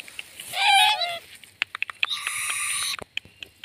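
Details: Owlet swaying in a cute dance: a brief harmonic wavering cry that slides downward, then a long rasping screech held for about a second, followed by scattered clicks and taps.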